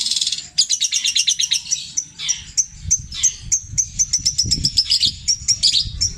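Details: Indonesian captive long-tailed shrike in petir-style mimicry of tengkek buto, kuntilanak and sparrow calls. An unbroken, fast jumble of high chips and short trills is repeated over and over.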